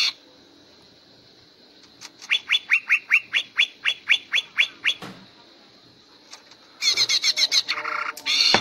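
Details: Greater green leafbird (cucak ijo) singing in the energetic gacor ngentrok style used in contest training: a run of about twelve sharp descending whistled notes at a steady pace, then a pause and a burst of loud, harsh, scratchy phrases.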